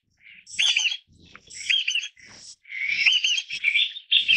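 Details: Loud calls of the Taiwan bamboo partridge, endemic to Taiwan: raucous, looping phrases repeated almost every second, growing into a longer, continuous run of harsh ringing notes toward the end.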